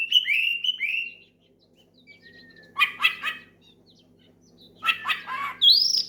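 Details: Oriental magpie-robin calling out a rival with loud song: whistled downslurred phrases at first, then two harsh chattering bursts and a closing high rising whistle.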